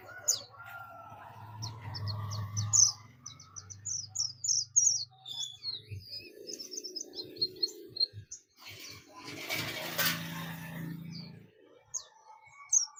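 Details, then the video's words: Oriental white-eye of the buxtomi type giving its ngalas call to summon companions: a busy stream of short, high, thin chirps and twitters, with a burst of broad rushing noise near the end and a low hum underneath. "pleci buxtomi ngalas ‼️ pleci lain pasti ikut ngalas"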